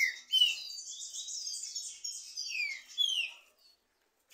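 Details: Two trinca-ferro birds compete in song: a steady, high, buzzy warble with bright downslurred whistles at the start and near the end.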